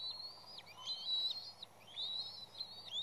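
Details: Bald eagles on the West End nest during disruption by an intruding juvenile that keeps coming back. Thin, high whistled notes are drawn out and bend sharply up and down, calling nearly without pause over a faint low hum.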